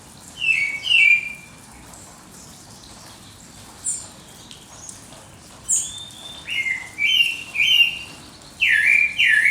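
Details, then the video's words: Birds singing at dawn: clear whistled notes around mid-high pitch, some with quick rolling trills, in scattered bursts with short pauses, plus faint high chips in the background. "pássaros cantando no amanhecer"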